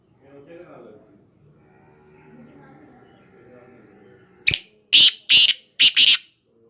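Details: Black francolin recorded near Khushab. A faint murmuring background gives way to a loud harsh call: one short sharp note, then two grating syllables and a rasping double note, spaced about half a second apart.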